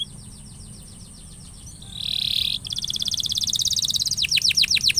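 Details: Canary song meant to coax a stuck, non-singing canary into song: faint repeated chirps, a harsh buzzy burst, then a fast bright trill that speeds into loud repeated sweeping notes.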